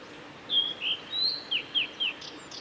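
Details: Blue-and-white flycatcher, a male, in song along the Kanazawa forest road at Lake Miyagase, Japan, 17 May 2020: a string of clear whistles and short slurred notes, some rising, some falling, with a faint high chip near the end.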